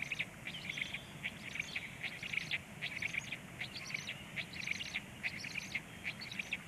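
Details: Feeding black stork chicks at 19:13 produce regular bursts of squeaky, high chirps about once a second, each burst a dense cluster of several notes, with a low steady hum beneath.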